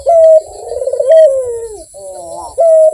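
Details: Barbary dove in full, melodious voice: a flat ringing note, a throbbing coo descending in pitch, then a softer wavering phrase before the ringing note returns.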